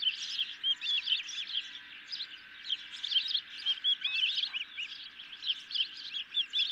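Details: Hungry ospreys at the nest with a medium-sized fish, 10 July 2021 near 23:00, heard through a nest camera: a long, steady stream of high, looping chirps and whistled squeals, rhythmically pulsing throughout.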